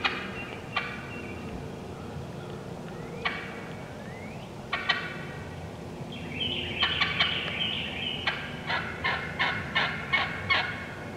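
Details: Wild turkey hens (Meleagris gallopavo), no human calling, cutting and yelping: scattered sharp clucks, then a fast run of loud, raspy yelps near the end, several per second, over a low background rumble.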